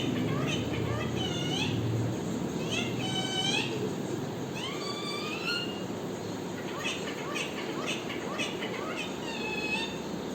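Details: Parrot giving loud harmonic squawks and rising-falling whistled calls in irregular bursts with short pauses, against constant low background noise.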